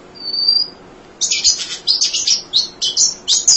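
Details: Munia chirping nonstop as a training model for songbirds: one drawn-out thin whistle, then a dense, buzzy stream of high chirps with barely any pause.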